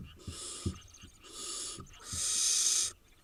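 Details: Wild barn owl nestlings in Israel, eight in the brood, give harsh, breathy hisses. Three long rasping bursts come in about three seconds, and the last one is the loudest, with faint knocks and soft thuds between them.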